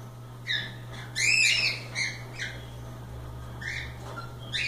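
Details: Playful loose cockatiels make a rich burst of chirps and several shorter calls spread through, with a steady low hum behind.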